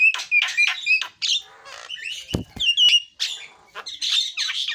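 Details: Javan myna in full song, mixing bright whistled notes, harsh squawky phrases and a grating buzz, with two brief low thumps midway.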